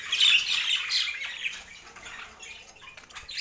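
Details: Pet budgerigars chirping while eating healthy food, filmed in natural Scandinavian light; bright, scratchy high chatter strongest in the first second, then fading to softer scattered chirps.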